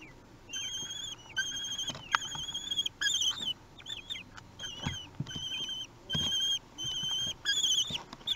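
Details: Begging of common kestrel nestlings aged three weeks as they are fed, Théding, France, June 2021; high, drawn-out whistled cries that quaver and bend, in separate bursts roughly every half second, with faint rustling and taps.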